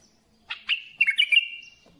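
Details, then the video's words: Bulbul singing a clear, loud phrase: two opening chirps followed by a rapid string of warbling, rolling notes fading into a thin trailing whistle. "سمع بلابيلك وشوف تغريد بلابل"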